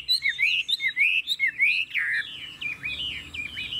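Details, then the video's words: Chinese hwamei, a caged bird praised as fast-voiced and even, sings quick looping whistled notes that slur up and down, then breaks into a run of shorter warbled phrases. "Siêu mẫu - Ngũ trường, Dài ngoằng, Chất giọng rừng ko lẫn vào đâu đc"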